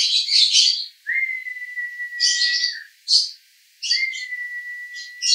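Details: Male lovebird, Cibinong, Bogor, konslet song: short bursts of harsh high chatter broken by pauses, with two long, steady, pure whistled tones running underneath.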